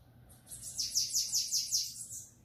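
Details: Bananaquit giving its Belga-style song: one fast phrase of about seven sharp, high, downward-slurred notes in quick, even succession, ending abruptly, over a quiet low hum.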